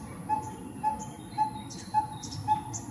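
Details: Coppersmith barbet, 2020 recording, repeating a brief hollow tonal note five times at about half-second intervals, with faint high chirps of other birds and a low rumble behind.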